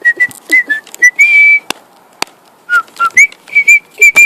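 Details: Pet cockatiel, male, singing as it flies: a rapid string of short bright whistles at a steady pitch, one drawn-out held note, a gap with two clicks, then more quick even whistles.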